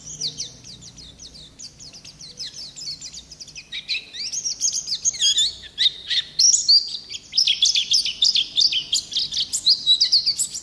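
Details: Wild-type Oriental white-eye singing a long, continuous high song: rapid twittering, sweeping whistled notes that rise and fall, delivered in dense runs about three per second and growing louder midway, with no other sounds.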